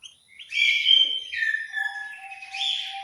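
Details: Caged in an aviary in Malang, East Java, an orange-headed thrush sings clear sliding whistles that dip then rise again, with a steady faint lower tone running beneath.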